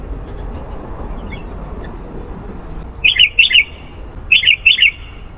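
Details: Sooty-headed bulbul lure call for wild bulbuls: two pairs of short, rich bubbly notes about a second apart, following three seconds of faint hiss.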